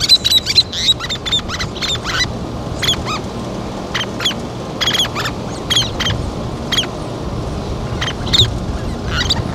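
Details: Least terns tending and feeding chicks: crisp, high, squeaky chirps in quick bursts and pairs dominate, some rising, spaced irregularly through the clip against a quiet background.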